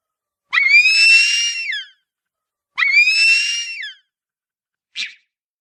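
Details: Harpy eagle giving two long, harsh, high wailing screams about two seconds apart, each steady then sliding down at the end, followed by a short faint note.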